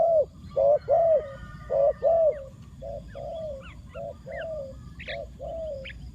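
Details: Decoy spotted dove giving its luring call for wild doves. Strong, mellow coos open the series, then softer drawn-out and clipped notes alternate. Occasional thin high chirps from small birds.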